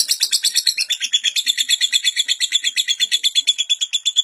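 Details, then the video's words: Lovebird singing at length without a break, intended for teaching young lovebirds; a bright, buzzy chatter of fast, regular pulses, nearly three per second, with a steady whistled tone running through it. "Burung lovebird durasi panjang tanpa jeda.. Cocok buat masteran lovebird paud"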